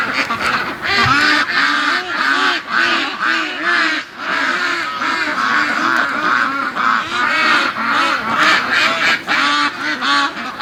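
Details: Domestic free-range ducks, a large flock, quacking at about 4:30 am before dawn, a long-running chorus said to be what contented ducks do with no predators around; dense overlapping nasal quacks, rapid and irregular, many birds calling at once.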